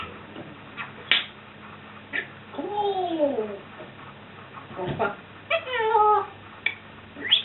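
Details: Pet African grey parrot, known for swearing and mimicking burping and farting, gives speech-like babbling phrases with sliding, rising and falling harmonic tones in two main bursts, plus short sharp clicks, over quiet background music indoors.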